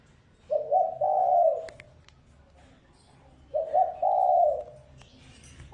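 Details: Spotted dove decoy call for attracting wild doves: two soft, low phrases three seconds apart, each a short hiccup note then a prolonged rolling coo, with a few sharp clicks in between.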